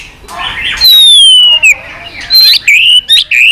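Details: White-rumped shama, tạch song: a long, loud, clear whistle sliding downward, then abrupt clicks and short rising whistles in quick succession.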